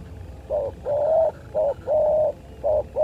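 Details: ['Spotted dove calling while fighting: steady low hollow coos alternating short and long, short-long pattern repeated in three pairs, clear above a soft rumbling background.']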